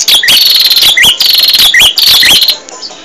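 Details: Rapid bar-winged prinia song from a recording meant for training caged birds. Shrill chirps repeat in fast, tight phrases with rising notes, then stop abruptly after about two and a half seconds.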